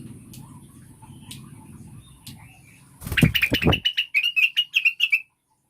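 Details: Blue-winged Leafbird, locally cucak wilis or rengganis, in a lure recording for caged birds. Low hum and soft clicks, then a loud fluttering rustle overlapping a quick series of high, clear chirps that stop suddenly.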